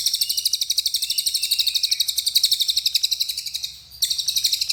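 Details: Cililin, the Small Minivet, delivering its 'nembak' song: rapid repeated high, sharp pulses forming a dense trill, briefly pausing near the end before resuming at the same fast pace.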